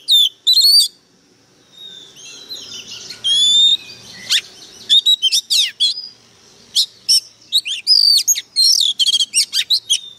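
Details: Fired-up Oriental magpie-robin decoy bird singing hard: sharp high notes, then clear drawn-out whistles that slide up and down, followed by a fast stream of short whistled and buzzy phrases with brief pauses between.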